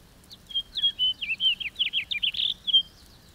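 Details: Sweet, bubbling house finch song: a short whistle, then a quick jumble of slurred notes and a buzzy burst before a final slur.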